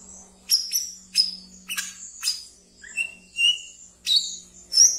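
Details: Pet brown-throated sunbird in lively ngeriwik song, meant as a lure for raw birds: shrill high chips in regular bursts, with a couple of lower whistled notes in the middle, and a faint steady hum behind.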